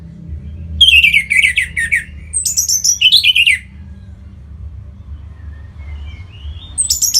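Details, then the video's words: Orange-headed thrush singing, used to encourage other cage birds to sing: several bright, rapid chattering phrases, some very high and sliding down, over about three seconds, then a pause and a final high phrase. "Punglor Merah Lagi Berkicau.. Untuk Pancingan Bunyi"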